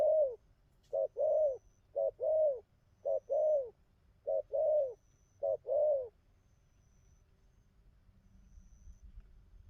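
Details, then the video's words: Spotted dove, a wild-caught young bird, cooing well: six low coo phrases, mostly a short note then a longer rounded one, over about six seconds, then quiet with a faint low rumble. "Thổ tơ bài hay gù tốt"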